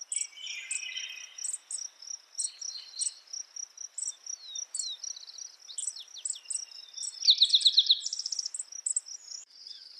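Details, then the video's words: Spotted Towhee in the morning: a rapid, buzzy trill of quick repeated notes rings out near the end, over a steady high insect drone and scattered high chips from other birds. "Spotted Towhee Bird Sound, Bird Song, Bird Call"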